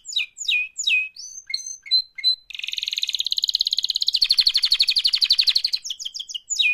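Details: Singing canary with an active mating call: a run of downward-slurred whistles and short chips, then a rapid rolling trill of high pulses lasting about three seconds, ending in sharp slurred notes.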